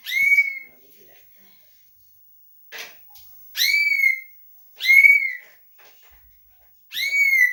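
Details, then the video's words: Leafbird singing vigorously in a doraemon-filled style: clear whistled notes that drop slightly at the end, each about half a second long, repeated every one to two seconds with silent gaps between. "kicauan hijauan gacor isian doraemon"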